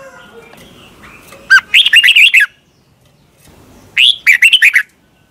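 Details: Thai Red-whiskered bulbul song meant for training birds to copy: two lively phrases about two seconds apart, each starting with a swooping upward note and running into rapid chirpy warbles.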